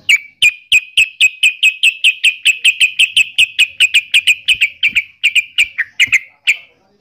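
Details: Yellow-vented bulbul, named trucukan in Javanese, gives a long series of sharp, clipped chip notes repeated about four times a second at steady pitch. The series slows and breaks up toward the end.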